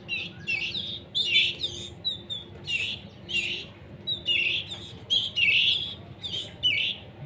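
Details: Canary chicks in a breeder's care, still learning to feed themselves, being hand-fed: rapid bursts of harsh, buzzy high chirps repeated roughly every half second, with faint low hum in the background.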